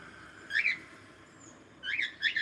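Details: Cockatiel calling with bright, whistled chirps that rise then fall. One clear note comes first, then two more in quick succession about a second and a half later. Background is quiet.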